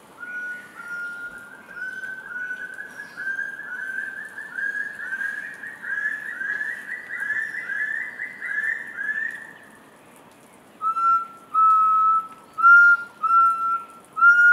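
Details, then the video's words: Rufous-throated partridge calling with crescendo notes: a long run of quick whistled notes climbing steadily in pitch and loudness for about ten seconds, then a short pause and loud, clear, level whistles repeated roughly every 0.7 seconds. "Rufous throated Partridge (Arborophila rufogularis) calling with crescending notes at the end"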